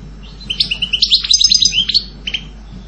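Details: Brief burst of European goldfinch song: a quick run of bright, liquid twittering notes, ending with a couple of separate chirps.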